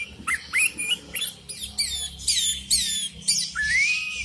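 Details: Sooty-headed bulbul calling out rivals, with wild bulbuls replying: a run of bright whistled notes, some rising and some sliding down, in quick rough bursts, ending on a long rising whistle.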